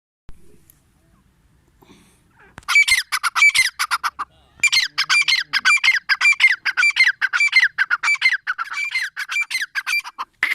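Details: Grey francolin, known locally as teetar, calling from about 2.7 seconds in a loud, harsh series of repeated squawking notes, about two per second, loud and quick, after a near-silent start.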